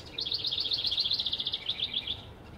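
A House Wren pours out a fast, bubbling run of high, jumbled notes lasting about two seconds, against faint background hum.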